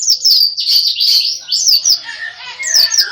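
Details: Energetic greater green leafbird song, a near-continuous run of shrill, high chirps and slurred whistles, densely packed, with a few lower warbled notes toward the end.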